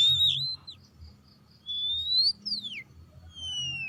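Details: Oriental magpie-robin whistling as a lure for other birds: a handful of long, clear whistles, one rising slowly, others sliding steeply downward, spaced apart over a soft low rumble.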